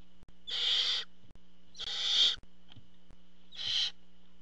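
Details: Barn owl at the nest as the male parent arrives with food: three harsh, broadband hissing screeches of about half a second each, evenly spaced, over a steady low electrical hum and a faint thin high tone.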